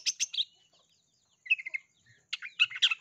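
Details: Long-tailed shrike lure song meant to make other shrikes sing. Scattered groups of sharp chips and short trilled notes are broken by a silent gap of about a second. Sparrow-style fills.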